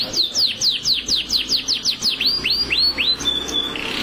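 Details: Canary singing continuously, described as contest-ready: a fast run of about a dozen descending whistled sweeps, roughly three per second, easing into a few rising slurred notes and ending on a steady high whistle.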